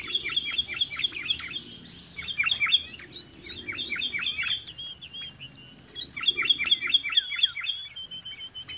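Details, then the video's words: Sooty-headed bulbul around a house, giving rapid runs of sharp, downward-swept chirps in bursts of five to eight notes, separated by brief pauses and a few thin sustained whistles. "SUARA BURUNG KUTILANG, CANGKURILEUNG | SOOTY HEADED BULBUL SOUNDS"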